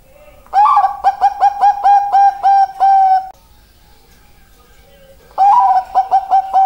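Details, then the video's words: Bangkok-type perkutut zebra dove repeating its cooing song: a rolling start, then about eight evenly spaced short, hollow coos ending in a sustained note, a silent pause of two seconds, and the next phrase beginning. No other sounds. "perkutut bangkok suara mantap"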